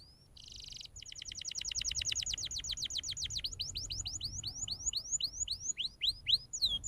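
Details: Canary singing as a tutor model for young birds: a brief buzzy note, then a long rapid series of high sweeping whistled notes that gradually slow and grow louder and more spaced toward the end.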